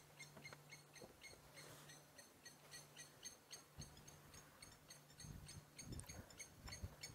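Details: Blacksmith Lapwing calling as it flies near a waterhole in Sabi Sand, South Africa, at sunset on 24 October 2016: sharp, metallic tink notes in quick succession, like a hammer striking metal, over a low engine hum.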